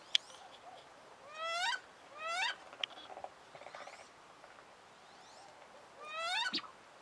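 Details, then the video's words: An angry female wood duck, kept in winter with mandarin and call ducks, protests after being moved to another pond. Loud rising squealing whistles sweep upward in separate bursts, with softer clicks and faint calls between. "Wood ducks funny sounds"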